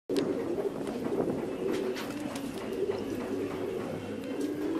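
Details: Fancy pigeons kept in a cage coo in low, soft, throaty rolls that overlap and repeat throughout.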